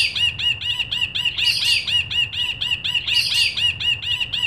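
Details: Ashy bulbul singing vigorously: a fast, steady run of ringing, arched notes, roughly eight per second, with a louder, harsher stretch of overlapping notes in the middle and again near the end.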